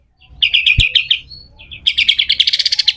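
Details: Captive pied triller giving rough besetan song used to tutor other birds: a quick stuttering series of chirps, a brief high whistle, then a faster, longer rattle of sharp repeated notes.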